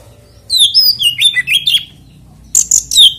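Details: Kacer, the oriental magpie-robin, delivering its song to set other magpie-robins singing: a fluid stretch of whistled, warbling notes, a short silence, then a burst of high sharp notes and a clear descending whistle, with faint low hum beneath.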